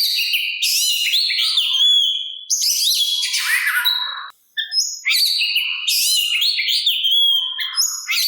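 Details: Song of an Oriental magpie-robin used to bait other magpie-robins into calling back and to rouse their fighting spirit: two dense bursts of rapid whistled and buzzy phrases separated by a brief silence.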